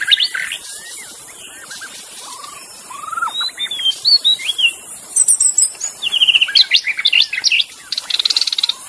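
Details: Magpie-robin singing wild in the forest, a busy mix of short whistled slurs, chirps and a fast buzzy trill, building to dense chattering notes toward the end.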